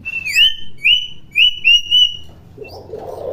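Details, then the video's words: Common hill myna, recorded to teach young mynas to vocalize, repeats four or five loud high, steady whistles in quick succession, then a soft rustling noise follows. "Burung Beo Gacor Cerewet"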